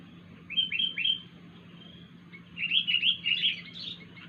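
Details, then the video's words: Unusual call of a wild sooty-headed bulbul: three clipped rising whistles, then after a gap a warbled string of five or six rolling notes, with steady background hiss. "kutilang liar suara Aneh"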